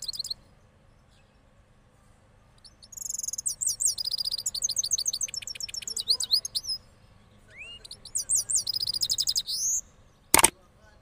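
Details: Hybrid cross goldfinch of Parachinar, after the moult, delivers rolling song in two bursts of high, quick tinkling twitters and slurred notes, separated by a pause, with a sharp click near the end.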